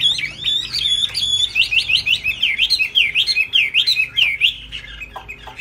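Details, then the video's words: High singing from a caged laughingthrush that flaps its tail: bright whistled notes looping up and down in a fast, repeated zigzag series, rich and piercing, with a few sharp clicks near the close. "Hót cao cầu đập đuôi khướu"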